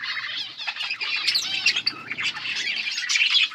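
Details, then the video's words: Budgies chattering as company for lonely birds: continuous busy warbles, squawks and rapid high squeaks from several birds overlapping without a break, steady and loud throughout. "Budgies sound for lonely birds birds chirping sounds"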